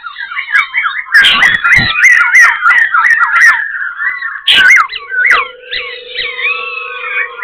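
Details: Singing Black-throated laughingthrush, Ho Chi Minh City, tail and wings dancing: rapid rolling whistled notes, broken by loud rustling thumps, later mellow varied whistles over a steady buzzing hum.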